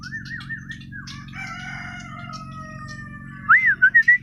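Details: White-rumped shama from Borneo (Kalimantan), natural song: wavering whistles and long held tones, ending with loud clear rising whistles repeated about five times quickly, over a low steady hum.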